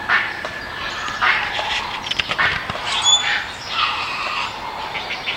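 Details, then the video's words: Great Blue Heron rookery with young chicks clacking their bills, recorded in Virginia or the Carolinas; dry, broadband clattering bursts and squawky noisy bands through the clip, with a brief high whistled note near the middle. "Here's a recording of a rookery with the young chicks clacking their bills."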